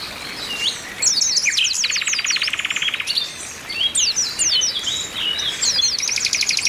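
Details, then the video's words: Calling female Oriental white-eye meant to stimulate males: fast high chirps and zigzag notes with a steady rattling trill in the middle and another at the close. "TERAPI PLECI OMBYOKAN BIKIN CEPAT GACOR"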